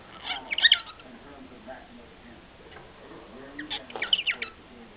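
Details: A pet cockatiel, singing to the household dog, gives two short bursts of chirpy, warbling whistles, a sound the owner had never heard before, with a person's voice faintly behind.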